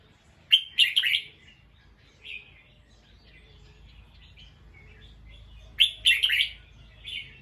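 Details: Bulbul alerted by a sound, giving two loud scratchy bursts of alarm notes near the start and again near six seconds, with faint twittering between.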